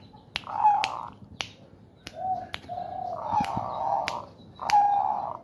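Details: Caged male zebra dove in breeding condition, cooing in a woven bamboo cage as its owner prompts it with fingers and hands; mellow, level coos broken by sharp finger clicks throughout.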